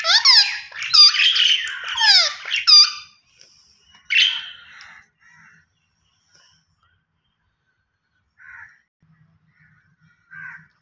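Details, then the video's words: Rose-ringed parakeet producing a rapid run of harsh, descending screeches for about three seconds, then a rougher squawk and scattered faint notes amid quiet. "Gareen Ringneck Parrot Natural Sounds Vice"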